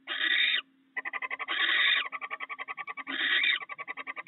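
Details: Barn owls sharing a meal of rats at the nest. Raspy half-second screeches come between long runs of fast, evenly spaced clicking ticks.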